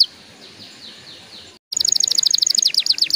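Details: Canary song for stimulating young canaries to sing: faint, soft descending notes at first, a brief silence, then a loud rapid trill of high repeated notes.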